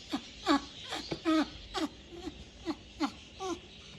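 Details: A 2-month-old African grey parrot chick, already fed, gives harsh, falling, nasal cries, about nine in four seconds at an uneven pace, in a small room while trying to talk.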